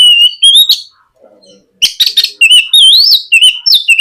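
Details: Lure song of a White-rumped shama for coaxing young birds into singing, recorded in the morning: loud rich whistled phrases, rapid warbles and rising sweeps, with a brief quiet pause near the middle.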